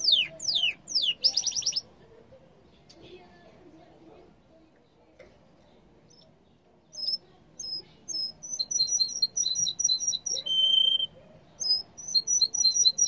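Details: Yellow canary song: a burst of fast downward sweeps and a buzzy trill, several seconds of near silence, then soft high double notes repeated rapidly with a short steady whistle.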